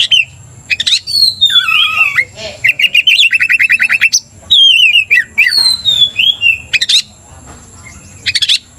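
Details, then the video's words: An excited Oriental magpie-robin provoking a rival magpie-robin: varied whistled song with long drawn-out slurs, fast rattling trills of repeated notes and sudden sharp chips, and a thin steady whine behind. "cepat emosi Kacer dipancing kacer GACOR ini"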